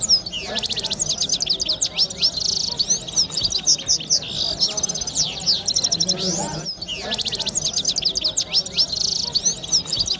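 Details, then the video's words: Red-fronted serin, also called red head gulsar, in song: a dense, rapid, high twittering of buzzy trills, sweeping whistles and rattling notes that runs almost without pause, over a background hiss. "Red fronted | Red head gulsar singing | mast gulsar canary voice"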